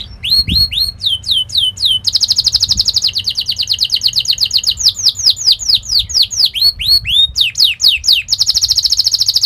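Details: Training song for young canaries, a fast sharp rolling performance: series of downward-slurred whistled notes, then long rapid buzzing rolls of tightly repeated syllables, switching back and forth over nine seconds with no other sounds.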